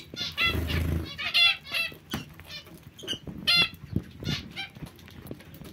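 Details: Zebra finch calling: bright, stacked nasal beeps repeated irregularly, some in fast pairs, others spaced about a second apart, with soft rustling and knocks underneath.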